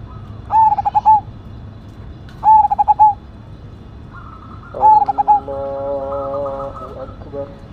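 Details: Zebra dove of the Cemani Majapahit strain, singing actively with a big voice: three phrases about two seconds apart, each a quick run of stuttering cooing notes ending in a longer held note. Another bird adds chattering, stacked tones near the end.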